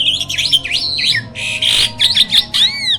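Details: A hybrid myna (jalak) in a cage serves as a master song tutor for other birds. Dense, loud warbling of twisting whistled slurs and harsh rasping bursts ends with a clear downslurred whistle.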